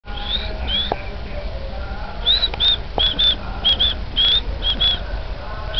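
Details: Oriental magpie-robin singing a run of short, clear, high whistled notes, some slurred upward and some given in quick pairs, spaced irregularly over a few seconds against a low steady background hum.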